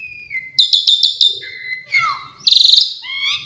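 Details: Song of an Asian pied starling, full of varied fill-ins: steady thin whistles, a burst of rapid clicking notes, a falling slur and a harsh rattling trill.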